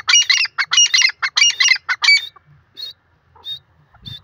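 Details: Grey francolin, described as a female voice, giving a loud burst of harsh, squawking notes repeated rapidly in short bursts for about two seconds, followed by fainter scattered high chirps.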